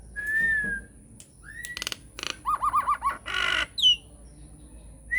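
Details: Vigorous Nias hill myna lure song, intended to draw replies from silent mynas: a long level whistle, a short upslurred whistle, sharp clicks, a quick run of five bouncing notes, a harsh rasp and a descending whistle.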